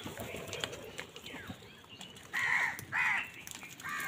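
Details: Crows competing with wild birds for food in the morning give two loud, harsh caws late in the moment, after a stretch of low background rustle and faint distant calls.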